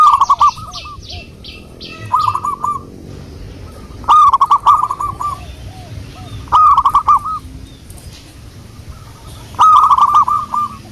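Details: Wild local zebra dove heard as a lure: bursts of bubbly rolled cooing about every two to three seconds, each burst with crisp clicking, and a brief higher chattering at the start.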